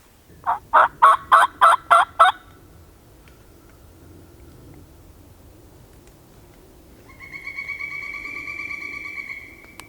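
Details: Wild turkey tom in Alabama on the spring 2020 season opener gives a rapid, rattling gobble of about six pulses from the next drainage, muffled, not near, not far. It is not very responsive. A long, steady reedy note follows.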